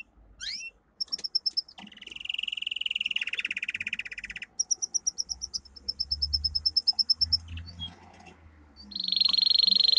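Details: Domestic canary song for training: a short rising slur, then pulsed rolls, a long buzzy trill, and evenly spaced rapid notes, ending in a steady high roll. Low background rumble.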